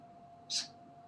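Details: A pet female African grey parrot on the other side of a room gives one quick, high, hissy kissing smack lasting about a fifth of a second, over a faint steady room hum.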